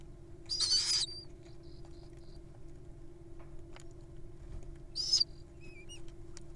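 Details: Wild little owls at feeding time: a loud hoarse screech, a long quiet pause, then a second screech followed by thin chirps, all over a constant low hum.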